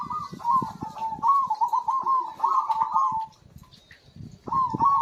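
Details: Zebra dove, a singing bird used to prompt quiet birds into song, delivering a long trilled, bubbling coo of about three seconds, then a pause and a fresh phrase, with faint tapping below.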